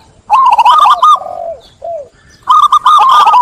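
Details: A local zebra dove (perkutut) calling clearly, prompting others to join in: a soft, rapid staccato cooing trill in two bursts, broken by a few lower slurred notes.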